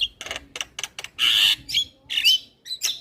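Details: Javan myna in a lively training recording meant to tutor other mynas: harsh broadband rasping bursts in quick succession, then squeaky rising whistles and a scratchy buzz, one after another over about three seconds.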